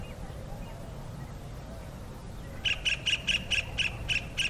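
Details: Kingfisher calling to its mate, a burst of eight shrill, evenly spaced high notes beginning after a couple of seconds of near silence, about four per second.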